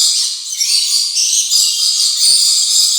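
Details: Unbroken wall of shrill, grating screeching from rainbow lorikeets, loud and steady for the whole stretch with no pauses.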